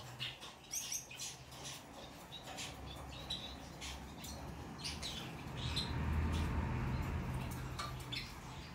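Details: Hand-tame Rosy-faced lovebird chicks, Golden Cherry colour variety, in Fukuoka, Japan, on 16 December 2023. Short scratchy chirps come in quick irregular bursts over a steady low indoor hum, with faint rustling and soft knocks.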